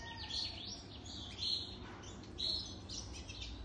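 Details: Song of a European goldfinch more than three years old: bright chirps and short warbled phrases coming about once a second, with a constant low background hum.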